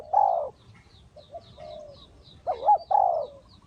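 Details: Decoy spotted dove at a bird trap: a loud drawn coo, a pause filled by faint answering coos, then a quavering double coo and a long, mellow closing note. Scattered high twitters from small birds are heard throughout.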